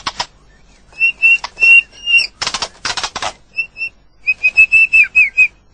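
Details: White-rumped shama in nature giving sustained thin level whistles with a trill, harsh rasping bursts between, and a stuttering run of high notes.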